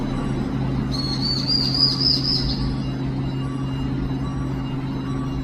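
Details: Lost long-tailed tit chick calling plaintively for its mother: one high, thin, rapidly trilled call of about one and a half seconds, wavering slightly in pitch, over a steady low mechanical hum.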